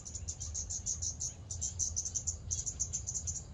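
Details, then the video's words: Scarlet-backed flowerpecker producing nearly continuous rapid series of thin, very high ticking notes, with one brief gap midway, over a dull low-pitched background hum. "เสียงนกชมภูสวน(กาฝาก) Scarlet-backed Flowerpecker"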